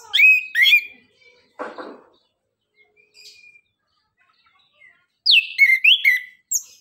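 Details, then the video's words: Orange-headed thrush, known locally as anis kembang, singing in bursts of loud whistled, slurred phrases with chattering trills, separated by pauses, with a brief rustle in between; song used to lure reluctant birds into singing. "Anis kembang suara nembak,ngeriwik gacor"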